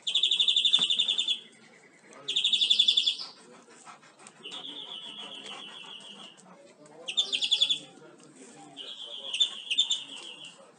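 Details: Greenfinch song recorded to train caged birds, made of repeated fast rattling trills of one or two seconds separated by softer twitters and short pauses.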